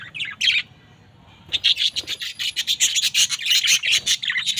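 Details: Budgerigar couple calling: a few sharp chirps, a brief pause, then fast continuous warbling chatter of rapid high scratchy notes repeated several times a second.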